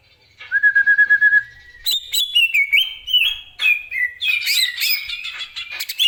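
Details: Greater green leafbird, a kept songbird, opens with a rapid trilled whistle held about one second, then loud varied whistled phrases stepping between pitches, mixed with sharp chirps and fluty slurred notes in a rich, continuous song.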